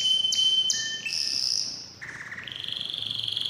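Canary song in rapid high-pitched phrases: sharp whistled notes, a buzzy trill, then fast repeated chirps around four per second.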